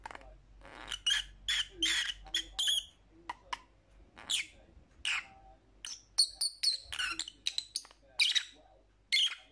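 Lovebirds chatter in shrill, harsh chirps and squeaks, fired off in quick irregular bursts, several every second, with brief pauses between.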